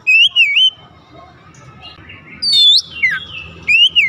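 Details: Oriental magpie-robin, singing to provoke rivals into song: a few loud wavering whistles, a high sweeping phrase, then a falling slur and a final rising whistle, separated by quiet stretches.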